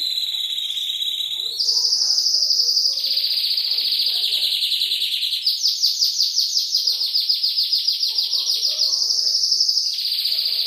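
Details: Canary singing, from a lengthy Indonesian training compilation blended with calming trickling water; steady high whistled tones step up in pitch, then a fast pulsed trill repeats many times per second before returning to a sustained piping note.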